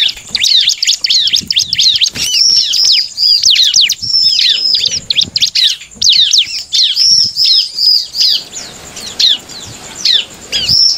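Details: Bar-winged prinia song used to provoke rival birds into singing: a rapid, dense run of high squeaky chirps and down-slurred notes, with brief pauses around the eighth second before the chattering resumes.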